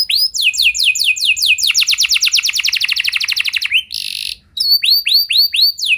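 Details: Canary song used to set other canaries singing: downward-sweeping notes speeding into a dense rattling trill, a short harsh buzz, then slower rising whistled upslurs.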